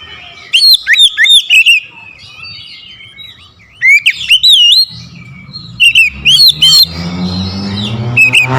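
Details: Oriental magpie-robin singing strongly to provoke an opponent: three bursts of loud, swooping whistled phrases with pauses between, and a low, droning, musical background sound rising toward the end.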